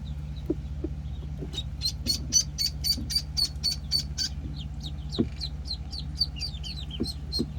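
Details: Penciled call ducklings aged one week: a series of high, steady peeps, then downslurred calls from several birds, with light taps and knocks and a low hum throughout.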